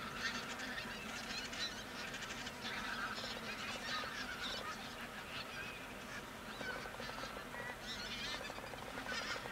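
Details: Large flock of Pink-footed geese feeding on left-over grain near Verdal, Norway, October 2018: a continuous clamour of many overlapping high, nasal honks and yelps, rapid and irregular, filling the whole stretch without a break.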